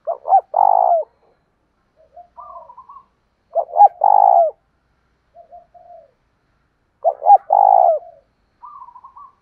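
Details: Loud spotted dove lure call meant to provoke fighting, 'thổ đồng' voice style: three deep cooing phrases roughly every 3.5 seconds. Each has clipped introductory notes and a long rolling coo, followed by quieter, higher, wavering notes.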